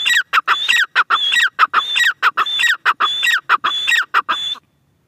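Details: Repeated grey francolin phrases, each a steady high whistle joined to raspy, ringing syllables, delivered in a fast regular chain that ends abruptly near the close.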